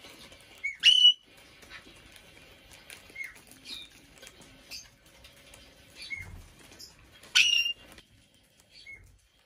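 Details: : a 5-year-old female pet Black-headed parrot in an indoor bird room gives sharp shrieks that break into piercing whistled tones, with softer short notes and a faint thump between.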